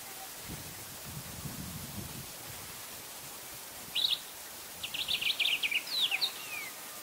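A Sombre greenbul gives a sharp whistled note, then a quick run of clear chattering notes.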